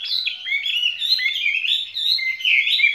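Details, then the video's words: Caged skylark singing a continuous, fluid warble of high twittering notes that slide up and down, with no pause, rich and tumbling in a spring song. "Chim quý ở lồng son ca bản tình ca mùa xuân"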